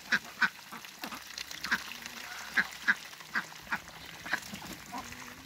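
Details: Two Muscovy ducks kept in a backyard, uttering quick, short, hoarse notes in an uneven series, about three or four per second at times, over quiet ambient noise.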